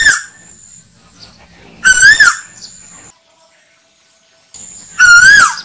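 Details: Asian koel call broadcast as a hunting lure for slingshot shooters: two loud whistled notes with a rise and slight fall, about three seconds apart, separated by near silence.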